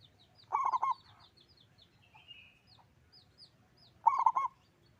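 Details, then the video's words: Local zebra dove with a loud voice singing two short, bubbling cooing phrases, each a quick stutter of notes, separated by a pause with faint high chirps from other birds in the background. "Perkutut lokal gacor suara besar"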